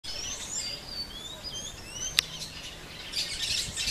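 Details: Plain parakeets feeding on Pseudobombax grandiflorum pods. High, thin chirps and sliding whistles overlap in quick series, with one sharp click midway through.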